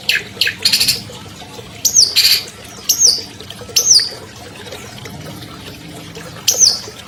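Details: Captive albino long-tailed shrike uttering a few scratchy bursts, then widely spaced thin, high whistled notes that slide downward, separated by quiet pauses.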